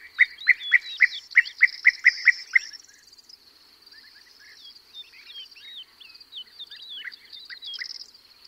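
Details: Close perched European bee-eater giving a fast series of loud rolling notes for three seconds, then quieter overlapping calls from others in flight. Larks and a corn bunting sing a high thin twittering throughout.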